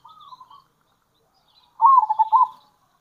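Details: Local zebra dove used for luring, a faint soft coo then a louder brief rolling trill after a pause.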